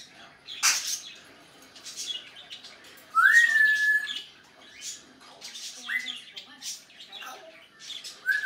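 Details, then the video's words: Male pet African grey parrot recorded in May 2019 doing his mix of funny sounds, whistles and phrases: harsh squawks, a clear whistle sliding up then held, and short speech-like bursts in a quiet room. "Nico's Noises (Nic, the African Grey) doing his usual thing"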